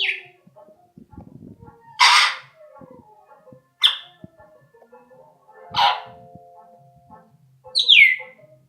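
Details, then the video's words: Grey parrot whistling: a few separate loud bursts, some falling whistled notes and a broad harsh squawk, spaced a couple of seconds apart, with soft clicks and rustling between them. "Попугай свистит"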